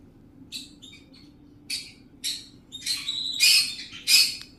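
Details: A pet talking parrot making short bright squawky bursts, some word-like, in uneven groups of two or three with brief gaps, louder and harsher toward the end, over a quiet indoor hum.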